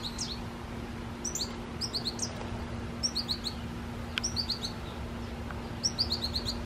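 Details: American goldfinch in a tree and drinking water, giving bursts of three or four high, quick twittering notes, the bursts repeated roughly every second, over a steady low hum.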